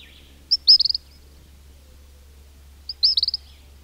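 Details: Chicks of king cormorant whistling in a colony, recorded close: two bursts of rapid, high, piping whistled notes, five or six per burst, about two and a half seconds apart, over a faint low hum.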